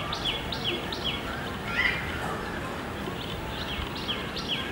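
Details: Jacobin cuckoo calling outdoors: repeated short, high, slurred notes in small groups, with pauses between the groups, over steady loud background noise and faint other sounds.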